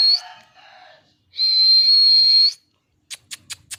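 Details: Parrot sounding angry: a brief high whistle and softer tones, then one long steady shrill whistle, ending with four quick sharp clicks.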